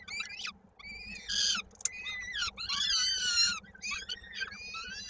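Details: Peregrine falcons feeding at a Koszalin nest on 16 May 2022, a youngster's foot caught in a beak; strained, screechy harmonic cries, rising and falling, run together in long bursts with a constant background hum.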